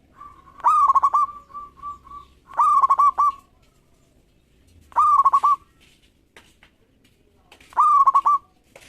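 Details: Local zebra dove singing eagerly to draw quick answers from rival birds. Four clipped, stuttering cooed phrases come every two to three seconds, linked by soft trailing coos, in a quiet setting.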